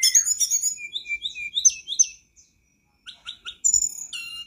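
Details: Tledekan gunung (flycatcher) song as lure playback to make a reluctant caged bird sing; quick series of high whistled notes and chirps, a brief pause, then sharper trilled phrases.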